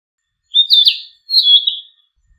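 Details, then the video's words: Narcissus flycatcher giving two loud phrases of its song: a whistled upslur into a fast warble, then after a short gap a smoother sustained whistle that drops in pitch at the end. "キビタキの美しい囀り02 癒しの鳴き声"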